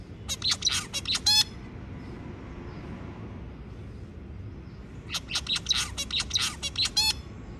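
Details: Zebra finch song: two short bursts of rapid buzzy and nasal notes, each about a second long, separated by nearly four seconds of quiet with low background hum.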